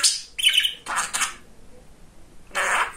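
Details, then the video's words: Talkative pet male budgerigar speaking: short scratchy syllables, one with a brief clear whistled note, then a pause and a final raspy burst. "Говорящий Волнистый Попугайчик"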